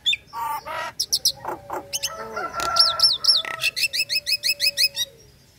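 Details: Caged female Nias hill myna in breeding condition, calling the male. She starts with bright whistled chirps and harsh buzzy notes. A long, regular series of loud, clipped whistles follows, each repeated about four times a second.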